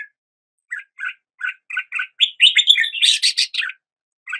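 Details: Red-whiskered bulbul singing at the start of the day, a lively phrase of short, bubbly chirps that quicken and rise into a burst of bright, scratchy notes, all in a high register.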